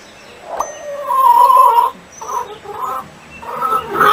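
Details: Chickens clucking in short, husky, irregular bursts of mid-pitched notes, several close together, with brief quiet gaps between groups.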